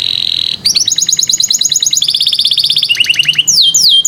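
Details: Canary song used to coax young canaries that are slow to sing: a rapid chain of high, bright trills that shift pitch every half second, ending in sharp sweeping notes, over a faint background hiss.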